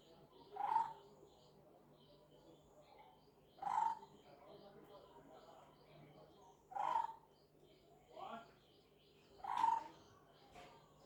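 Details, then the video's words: A lineated barbet gives a low, hollow, throaty hoot roughly every three seconds, with faint higher chatter from other birds and a steady hum behind it. "Call of lineated barbet"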